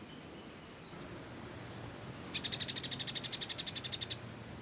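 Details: Sunbird known locally as kolibri ninja, recorded for songbird training: one loud sharp chip, a pause, then a long fast trill of about eighteen bright, evenly repeated high notes lasting nearly two seconds.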